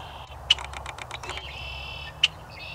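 Two sharp, dry 'chek' notes about two seconds apart from a Red-winged Blackbird, with a quick run of ticking chips and a thin high tone from another bird between them.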